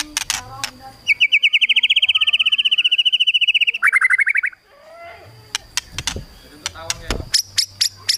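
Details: White-rumped shama in crackling kretekan singing aimed at provoking rivals: a long, fast, even trill of about forty notes, a shorter higher trill, then scattered sharp clicks and snaps.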